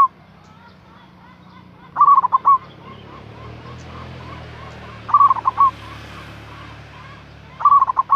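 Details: Local zebra dove lure call to bring in a rival: three bursts of rapid rolling cooing notes, the first two about three seconds apart, over a steady noisy hiss and low background hum.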